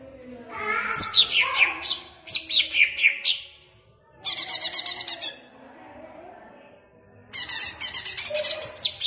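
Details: Greater green leafbird kept in a cage in Jatirejo, Ampelgading, Pemalang, Indonesia. It sings loud, varied phrases: falling whistled slurs, then bursts of fast rattling high notes. The phrases are separated by short quiet gaps.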